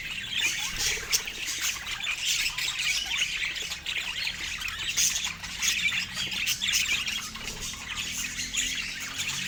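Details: A happy flock of pet budgies keeping up steady high chatter, full of quick squeaks, buzzy warbles and harsh squawks from several birds at once.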